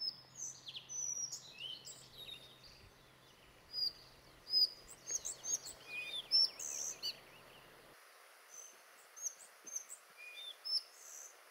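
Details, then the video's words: Collared flycatcher at Björke on Gotland, Sweden, in May 2011, singing short bursts of high, thin whistled and squeaky notes in phrases spread across the recording, with faint rural background and a low hum in the first half. "Halsbandsflugsnappare (Ficedula albicollis) Collard flycatcher"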